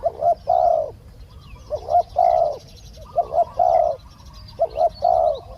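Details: Decoy spotted dove calling to draw down a small-voiced wild dove for capture; regular low coo phrases, two short notes then a drawn-out purring note, four phrases in quick succession.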